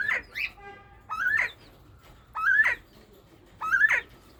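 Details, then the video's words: Northern bobwhite quail calling in breeding season: four sharply rising whistled notes, one about every 1.2 seconds, each sliding upward and ending abruptly, with faint steady tones early on. "طيور حجل البوبوايت في موسم التكاثر. bobwhite quail"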